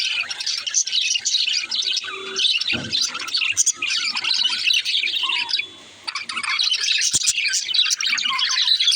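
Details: Chattering song of a baby budgerigar: quick high chirps and scratchy warbles, with a brief quieter dip near the middle before the twittering resumes.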